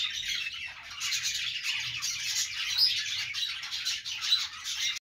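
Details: Flock of budgies producing nonstop high twittering and squawky chatter, dense and overlapping, with a couple of brief clear whistled peeps.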